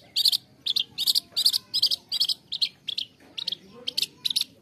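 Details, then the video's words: Long-tailed shrike song meant to stimulate lazy or stressed caged shrikes to sing. Loud, harsh, scratchy chirps are repeated rapidly in short clusters of about two or three notes, nearly three per second, over faint background rustle. "SUARA CENDET UNTUK TERAPI CENDET MALAS BUNYI"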